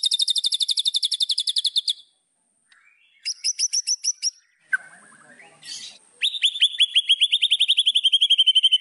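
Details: White-rumped shama song for goading rival birds: a rapid high trill, a shorter trill burst, a low slurred phrase, then a long run of quick descending whistled notes.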